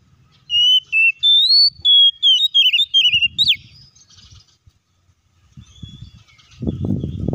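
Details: Oriental magpie-robin song meant to stir other magpie-robins into singing: about a dozen rich, fluty whistles with rising and falling slurs in quick succession, then quiet, then low thumping noise.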